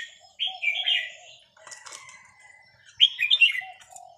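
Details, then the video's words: Caged Vietnamese red-whiskered bulbul, small and aged over ten years, delivers two quick, rich warbling phrases in the counted-phrase style, separated by a soft flutter of wings and a brief thin whistle. "นกกรงหัวจุกเวียดนาม นับดอกตัวเล็ก"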